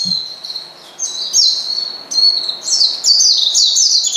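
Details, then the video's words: Oriental white-eye calling out to a rival to provoke it: high, thin chirps and short twittering phrases that grow louder and faster toward the end, with quick rising and falling notes. "pleci manggil lawan bikin lawan emosi dan edan"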